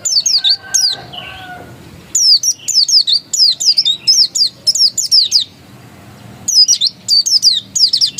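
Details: Pleci dakun, an oriental white-eye, in ngotot song: rapid runs of sharp, high descending whistles, grouped into bursts separated by short silences, with faint lower tones early on.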